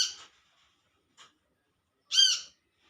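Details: Olive-backed sunbird in the wild calling to its companions: the tail of one call, a soft tick, then a loud, bright, arched call.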